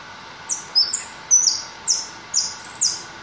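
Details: White goldfinch giving a bright, high twittering song: about nine short, clear notes, several sliding downward, delivered in quick irregular bursts over a faint steady hum.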